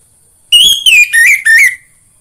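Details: Singing lure of an orange-headed thrush, aimed at stimulating birds at home: a short run of four loud, slurred whistled notes stepping downward, each falling in pitch.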